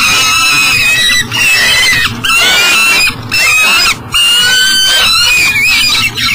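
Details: Peregrine falcon at a nest box by the Mississippi River, Elk River, Minnesota, 7am, 12 July 2012, struggling to get into the box with breakfast, gives loud, harsh, wailing screams in long drawn-out bursts with wavering pitch, pausing about once a second.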